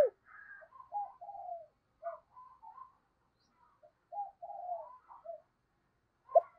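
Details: Decoy spotted dove used in the morning to call in wild doves, giving soft, low, broken cooing notes, several short hoots and a longer wavering one, with clear gaps between them. The background is otherwise quiet.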